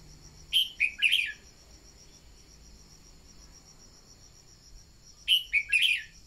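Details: Red-whiskered bulbul decoy song for stimulating newly caught birds to sing: two cheerful warbled phrases of three to four quick notes, separated by about four seconds, over an unbroken high insect whine.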